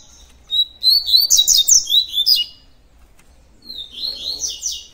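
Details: Double-collared seedeater, tui tui song style: a fast, bright series of high chirping and slurred notes for about two seconds, then after a pause a second, softer run of rising and falling high notes.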